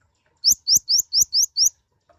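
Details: Mouse-colored sunbird (kolibri ninja, konin), a very small, loud-voiced nectar feeder, singing gacor: six sharp, high rising chirps in an even series about every quarter second, with faint low thumps beneath.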